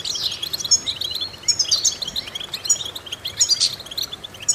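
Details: European goldfinch training song meant to stimulate singing: bright clipped chirps, sharp descending slurs and a few pure piercing whistles, delivered in quick bursts with brief loudness peaks.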